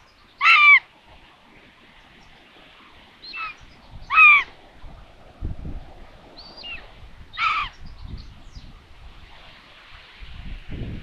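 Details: Common buzzards on a nest in Tiszalök, Hungary, in June, calling around a food delivery: scattered mewing cries falling in pitch, about five in eleven seconds, some loud and some softer, with low knocks from the nest.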